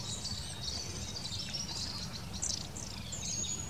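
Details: Long-tailed tit giving a near-continuous stream of high, fine, tinkling call notes with thin whistled threads between them, over steady low background noise.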